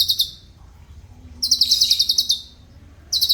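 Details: Black-crested bulbul used to train other songbirds, a skilled mimic: brisk high trills of sharp clipped notes in quick succession, with a faint low tone between bursts.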